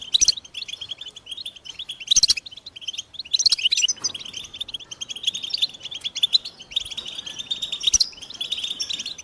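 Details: European goldfinch singing fast, tinkling twitters that swell into louder ringing bursts, with brief gaps between phrases.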